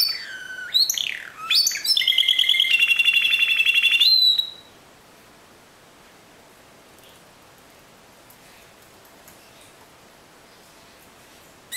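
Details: Timbrado canary in the discontinuous style. Descending whistled sweeps lead into a loud, steady, buzzing metallic trill lasting about two seconds, ending in a short high note, followed by near silence.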